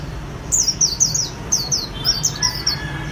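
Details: White-eye singing in the Vietnamese "khuyên líu" style, a bird kept by Vietnamese song-bird artisans: a rapid series of high, thin, downslurred whistled notes in three bursts, over a steady low hum.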